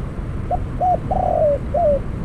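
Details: Spotted dove kept as a decoy bird for trapping wild doves, calling after its first catch: one phrase of four cooing notes, a short note, an arched coo, a long burry coo sliding down, and a final falling coo.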